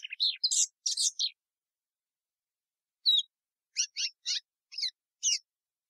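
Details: Plumbeous seedeater song: clean high phrases of buzzy, chirped notes between about 2 and 8k, an opening burst of several notes, a long pause, then spaced single chirps roughly every half second; no other sounds.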